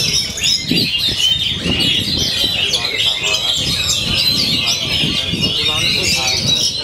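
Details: Oriental magpie-robin (kacer), described as singing nonstop every day ('main dur'), in a dense run of varied whistled and chattering phrases, with low murmuring voices and background noise throughout.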